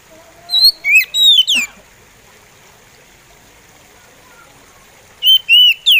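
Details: Kacer, the oriental magpie robin, delivering a slow song. A cluster of four sharp, swooping whistles comes first, then a long pause, then three more clear whistles, each rising and then dropping.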